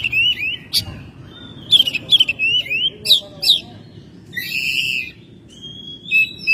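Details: Oriental magpie-robin kept at home, singing in May with loud, varied whistled phrases: short upward slurs, sharp clicks and buzzy bursts, repeated in quick bouts with brief silences between.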